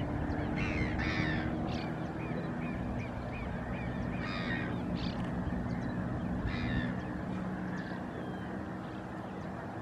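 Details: Great grebe starting courtship at San Miguel del Monte, 08-07-2020. Scattered hoarse, nasal bursts are mixed with short rising notes, repeated irregularly over a constant low background hum.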